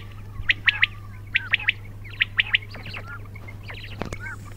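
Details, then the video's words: Quail calling: groups of two or three sharp, high chirped notes with downward-sliding tails, repeated in bursts about a second apart, over a steady low hum and some softer background chirps. "بٹیروں کی آواز"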